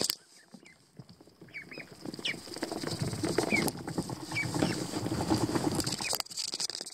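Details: Pekin ducklings, young and featherless, paddling in a tub of water; scattered thin, high peeps rise over steady watery splashing and pattering that builds through the middle.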